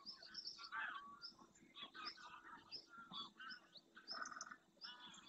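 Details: Wintering greylag goose flock flying in to land on a lagoon in Doñana's marshland, Spain, in early morning light; dense, continuous chorus of harsh honks from many birds, with thin high bird notes mixed in.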